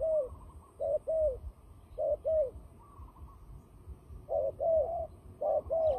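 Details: Fighting turtle dove calling for trapping, giving short coos in pairs and threes, low and hollow with a downward bend, separated by irregular pauses of about a second.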